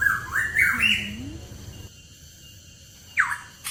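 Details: Hooded pitohui recorded in the mountains of East Java gives clear, wavering whistles that climb and dip: a short burst, then a pause before another rising note, over a low background rumble.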